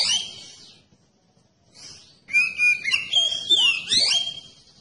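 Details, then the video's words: Oriental magpie-robin song used to draw other magpie-robins into singing: a short burst of whistles, a soft note after a pause, then a long flowing phrase of sweeping whistles and sharp downward slurs. "Kacer Anda Bisa Langsung Nyaut dan Gacor Pakai Video Kacer Pancingan ini"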